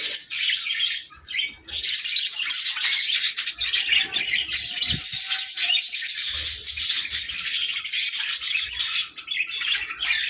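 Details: Continuous high, scratchy warbling from several pet budgerigars in the morning, a dense chatter with little pause and a single low thud near the middle.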